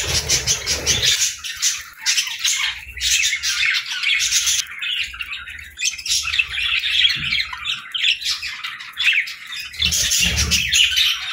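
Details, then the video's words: Budgies chatter through their morning feeding, a steady mix of warbled twitters and short chirps from several birds, with occasional low clunks. "Good Morning Birds Chirping | Budgie Feeding Time"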